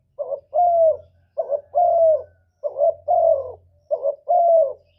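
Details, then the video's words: Spotted dove, lure recording for trapping and for stimulating kept birds: four evenly spaced phrases, each a quick two-pulse note then a sustained mellow coo sliding slightly downward, roughly every 1.3 seconds. "Tiếng cu gù cực chuẩn dùng đi bẩy, kích chim nhà hiệu quả"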